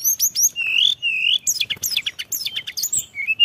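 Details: Filler-rich Sunda robin lure song: high stuttered chips, long rising whistles, then a rapid run of descending slurred notes, finishing with short level whistles.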